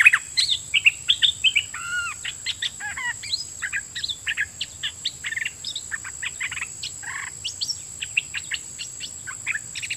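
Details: Caged red-whiskered bulbul used as a decoy, singing at wild birds with doubled song phrases; a busy run of short whistled and chirped notes, some rising and falling slurs, closely spaced over ten seconds, with steady insect hiss.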